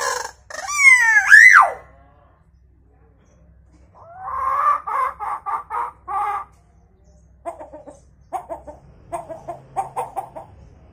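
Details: Pet hill myna varying its chicken imitations: a bright whistle rising then dropping steeply, then a series of rhythmic hen-like clucks, and finally a looser scatter of shorter clucking notes.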